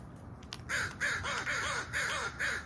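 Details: A crow giving five harsh, nasal caws, each slightly falling in pitch and spaced about half a second apart, over faint background noise.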